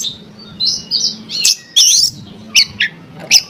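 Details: Oriental magpie-robin song played to make other magpie-robins sing: quick whistled notes and scratchy buzzes, then a run of short sharp chirps, delivered rapidly and irregularly over a low hum.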